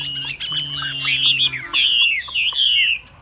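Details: Chinese hwamei kept as a tame cage bird that sings anywhere it is placed, pouring out a strong, sustained run of high warbled whistles with twisting, wavering notes, while a steady low mechanical hum runs underneath.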